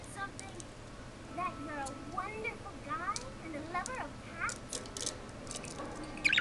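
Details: A male pet parakeet croons to a can he treats as his protector, a running, chattering stream of quick, wavering notes that slide up and down, with a few sharper chirps near the end.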